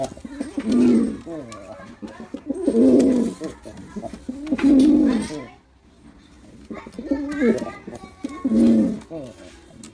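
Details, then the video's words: Male pigeon performance with a series of deep, bubbling coos spaced a couple of seconds apart, with a quieter gap midway and a light background hiss. "Male Pigeon Super Performance || Male Pigeon Sound"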